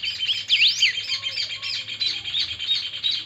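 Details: Chiviro (saffron finch) of the 'pica' song type singing in full, a recording meant to encourage other chiviros to sing: a continuous rapid stream of high, twittering, swooping notes with loud slurred peaks and no pauses.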